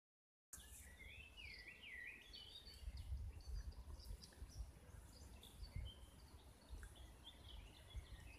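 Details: Birdsong by a pond in a central European wood, spring 2017: quick warbled, rising-and-falling phrases at the start, then scattered high chirps from several birds over a steady low rumble of wind.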